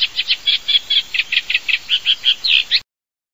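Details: Eurasian reed warbler singing in Europe: a steady, rhythmic chatter of scratchy, mid-high notes repeated about six times per second, some notes sounding slightly clearer and more whistled, ending abruptly.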